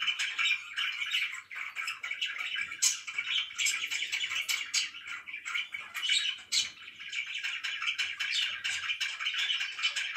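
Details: Morning chirping from pet budgerigars, a dense and steady stream of high twittering, scratchy warbles and short squeaks that runs unbroken throughout.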